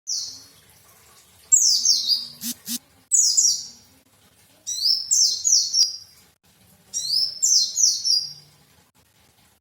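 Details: White-eye singing: four bursts of high, thin, rapidly descending twittering phrases separated by short pauses, with two brief low knocks between the first and second bursts.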